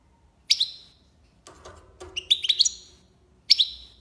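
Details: European goldfinch of the tiwawati song style from Algiers, Algeria, giving short bright phrases of sharp high notes with falling tails, separated by pauses, with faint low knocking between phrases.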